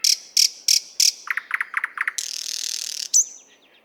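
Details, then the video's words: Nightingale song from the 50th Anniversary of October park in Moscow, RODE NTG-3 and ZOOM H6 recording: four loud sharp notes, a run of lower chuckling notes, then a sustained high hissing buzz and a final whistle. "Соловей поёт"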